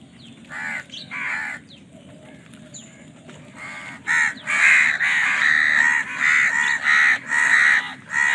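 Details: Crows contesting food: a few scattered caws at first, then a rapid, insistent run of loud, grating caws repeated about once every half second.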